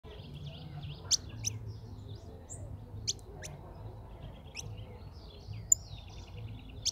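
European goldfinch singing a fast, tinkling run of twittering notes and sharp high chips, with a low background hum throughout.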